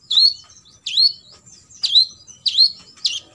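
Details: Five loud, sharp chirps from an olive-backed sunbird, part of a full 'isian' shot sequence meant for imitation by competition birds; each note swoops down then flicks up, spaced roughly every 0.6 seconds.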